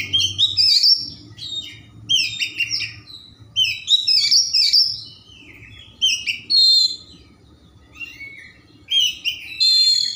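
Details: Singing kacer, an Oriental magpie-robin, in lively gacor form, a luxurious filler-rich song meant to spur other magpie-robins into song: bursts of bright whistles and chattering notes roughly every two seconds, separated by short quiet gaps.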